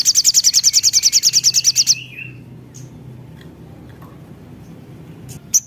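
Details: Lure recording of a Javan cochoa to set other birds singing. A rapid high trill of pulsed notes runs for two seconds and ends in a falling whistle, followed by near-silence and a single sharp chip.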